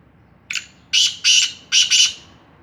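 A black francolin gives a short lead-in note, then four loud, harsh, grating notes in two quick pairs. Nothing else is heard.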